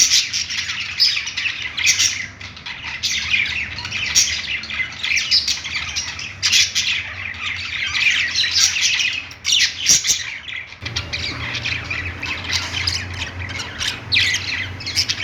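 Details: Budgies singing on a perch inside a pet store, a long stretch of lively overlapping chirps, squeaks and grating warbles, with a low droning hum that grows stronger partway through.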